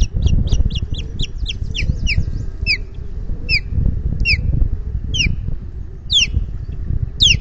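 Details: Nesting ospreys in the Finger Lakes, United States, on 12 May 2021 around 15:26, as intruders fly over the nest; fast strings of short piercing whistles slowing into spaced, downward-slurred yelps, with heavy wind noise below.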